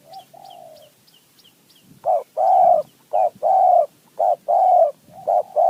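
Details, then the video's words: Wild spotted dove in mountain forest reacting to a decoy. A soft low coo comes first, then a loud rhythmic series of short and long mellow coos repeating about once a second, with faint high chirps at the start. "นกป่าคารม โยน 4 3 2 1 กุก เรียก 1 2 กุก"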